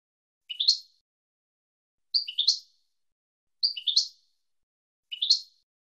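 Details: Goldfinch in the 2022 season, from a recording for teaching young birds: four short, high, rising twittered calls, each a tight cluster of chirps about a second and a half apart.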